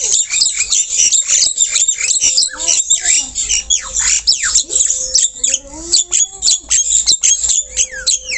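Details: Javan myna, a white-eyed bird singing very actively while perched low, gives a fast stream of harsh, scratchy squawks and chattering notes with rising and falling whistled slurs, barely pausing throughout.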